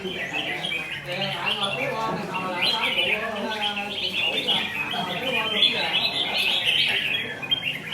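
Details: Wild-caught red-whiskered bulbul in forest plumage with a combative temperament: long stretch of rapid chirping and warbling, sharp high notes over steady twittering, some squawky accents and low background murmur throughout.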